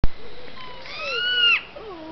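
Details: Captive owls at a bird of prey centre squeak at each other: a thin, drawn-out squeal of under a second that rises slightly then falls, after a sharp click, with faint lower voices behind.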